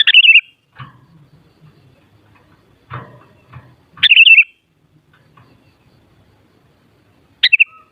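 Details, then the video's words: Sooty-headed bulbul voice used to stir other bulbuls to sing back: three loud, bubbly whistled bursts spaced several seconds apart, separated by dull knocks and rustling handling noises. "Suara Burung Kutilang Paling Ampuh Untuk Menaikan Emosip Jadikan Kutilang Gacor Nyaut"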